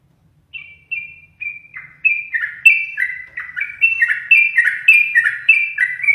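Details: Yellow-vented bulbul kept as a caged pet and frequently teased by its owner sings a lengthening series of clear whistled notes, starting with single spaced chirps and building into rapid, bubbling two-tone phrases.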